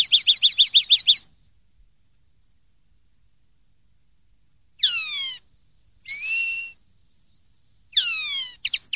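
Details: Clean common linnet singing: an opening train of about eight quick, evenly spaced twittering notes, a long pause, then downward-sweeping whistles and a drawn slurred note, ending with more clipped twitters, in complete quiet.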